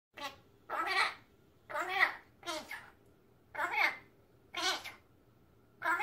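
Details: A pet magpie imitating human speech indoors: six short, raspy, word-like phrases about one per second, with a babbling, voice-like quality, in a quiet room.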